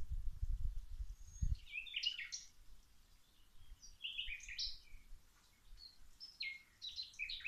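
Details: Birds singing in a garden while plants are being watered: clusters of quick, high, tumbling chirped phrases repeating at irregular intervals, preceded by a short burst of low rushing noise.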